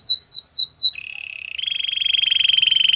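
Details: Canary song: four quick falling whistled notes, then a low rolling trill that shifts upward into a fast, steady buzzing roll.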